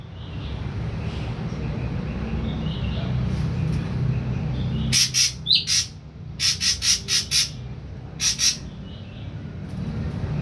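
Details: Ashy drongo, a young wild-caught bird three weeks into captivity on full pellet diet, beginning to sound off; a few harsh paired notes, then a rapid burst of four clipped scratchy chips and a final pair, over low droning background.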